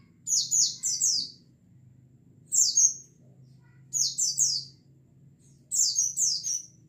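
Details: Flock of white-eyes used as a lure sound to get kept birds singing wildly: four bursts of two to three high, thin, down-slurred chirps, spaced about every one to two seconds, with a soft low hum underneath.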